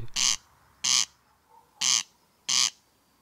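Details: Corncrake calling from tall meadow grass at dusk or night: dry, rasping double 'crex-crex' calls, four harsh buzzy bursts in about three seconds, against an otherwise quiet background.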